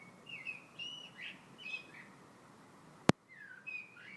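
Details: Bird singing in February, a series of whistled slurred notes in the first half, a loud click, then a few more descending whistles after a brief pause.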